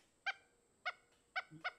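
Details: Pileated woodpecker, the largest woodpecker, very noisy and occasionally heard in woods with old trees, gives four loud, nasal, honking 'wuk' notes at an uneven pace, about half a second apart, with a brief low murmur between the last two.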